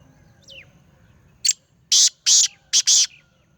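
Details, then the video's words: Black francolin in Sindh, Pakistan: a loud grating call of four or five harsh clipped notes in quick succession, the last two closely paired, after a faint thin whistle from another bird. "Kala Teeter sindh Pakistan"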